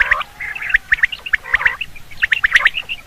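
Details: Common quail give sharp, liquid call notes in quick clusters of two or three, repeated about every half second, with some rougher chattering notes mixed in.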